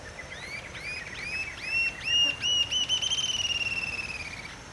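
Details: Rufous-tailed jacamar song: a string of high, thin, upslurred whistled notes that speed up and run into a rapid, slightly falling trill, over a faint steady background hiss.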